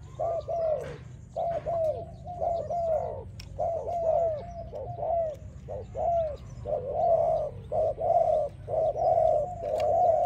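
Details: Spotted dove song for dove training: a continuous series of low, mellow, arched coos, often in close pairs or short groups about once a second, with a constant low rumbling hum underneath.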